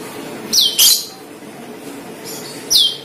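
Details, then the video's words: Cucak keling call used to attract the same bird: a falling whistle and a harsh note in quick succession, then another descending whistle after two seconds, over low hum. "PANCINGAN CUCAK KELING"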